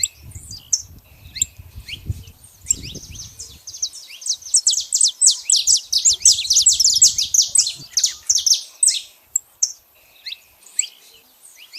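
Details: Saffron finch vocalizing outdoors in nature, giving rapid high-pitched chirping in loud clustered bursts that build in the middle and thin out toward the end, with low thumping background noise early on.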